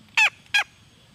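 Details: A junglefowl hen makes a pair of loud, coarse, falling squawks in quick succession, with faint low background rumble.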